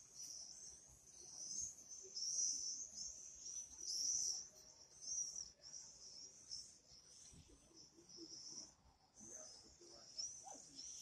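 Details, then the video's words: Common swifts calling: shrill, buzzy high-pitched screams in overlapping bursts, each lasting about a second, some with rising whistled tops, near-continuous through the recording with faint background noise. "Пение стрижей. Спів стрижів. Singing swifts"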